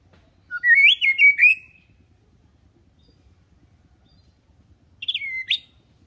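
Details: Song of a white-rumped shama, calm and not aggressive, used as a lure for juveniles to learn singing. A clear whistled phrase of several rising, warbling notes, a pause, then a shorter phrase with a sweeping downslurred whistle.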